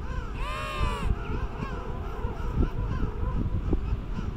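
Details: King penguin courtship and mating on South Georgia, January 2019: one clear, brassy, warbling call rises and falls for under a second, followed by fainter overlapping calls from other birds beneath heavy wind noise.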